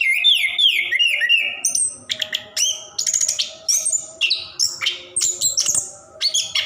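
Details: Orange-headed thrush, called plontang, in nonstop song meant to stir silent caged birds: it opens with a descending whistled series, then moves into rapid, varied high notes and sharp chips.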